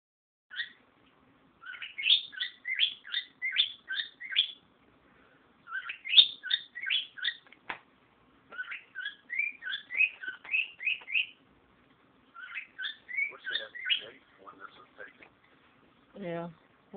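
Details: A male pet cockatiel sings bright, rapid chirping phrases, mimicking the songs of unidentified wild birds; the owner says he has also mimicked Angry Birds sounds.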